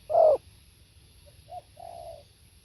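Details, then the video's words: Spotted dove singing live: one loud, low husky coo followed by two fainter, shorter cooing notes, with quiet background. "เสียงนกเขาใหญ่ สด | suara tekukur"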